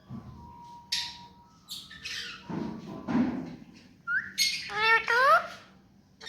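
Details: Pet ringneck parakeet mixing scratchy squawks with clear rising whistled notes and wavering tonal phrases near the end, over a faint steady hum.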